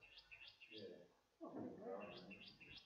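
Restless Flycatcher giving quick rising whistled notes, several in a row about three per second, in two bursts; a man talks over the middle.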